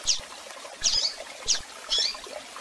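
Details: A female Rusty-collared seedeater calls repeatedly, giving four short, high, slightly buzzy chirps at roughly even intervals of about two-thirds of a second, over faint low knocking sounds.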